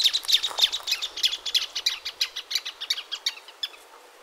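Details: Rapid, rhythmic stream of piercing high chips by a plain thornbird, about four notes per second, loud at first and gradually dwindling in strength until the final notes fade out.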